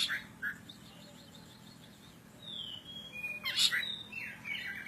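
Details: Oriental magpie-robin of the kacer poci type from Java, Indonesia, in vigorous song: brief chips, then smooth whistled slurs falling in pitch, broken by a loud harsh burst and further whistles.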